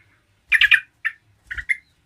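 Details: Yellow-vented bulbul calling, sound meant to provoke other bulbuls: harsh, squawky bubbling notes in three quick clusters with a faint low thump underneath.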